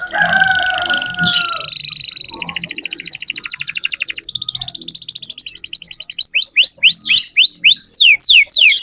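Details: Canary singing to tutor young birds, from a lively lure canary: a steady drawn-out whistle, a long rapid buzzing trill in two bursts, then repeated sharp downward-sweeping notes.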